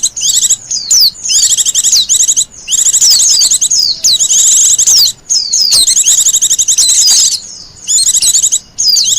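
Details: A wild Japanese white-eye sings in dense, high-pitched chattering phrases of fast trills and quick descending whistles, pausing briefly between runs; the singing is used to lure birds and as master song.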